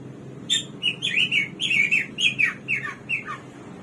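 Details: Samyong or garuwa, the hwamei or bird of 1001 voices, pouring out a lively series of loud, descending warbled phrases, each slurred note following closely on the last.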